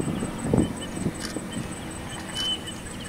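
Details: A female watercock on the outskirts of Kolkata, West Bengal, India, in June 2017, gives deep, hollow thudding notes about every half second over a thin, steady high insect whine and one brief bird whistle.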